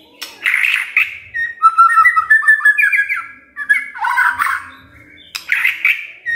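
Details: A magpie-robin's song, offered to provoke silent birds into singing: rich whistled phrases rising and falling, mixed with a few harsh, scratchy notes in a fast, loose stream.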